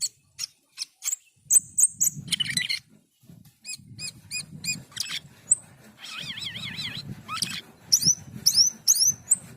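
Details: Asian pied starling in full song: a varied medley of clicks, buzzy bursts, and repeated short notes, a wavering trilled warble, then high sweeping whistles, with soft low background rumble.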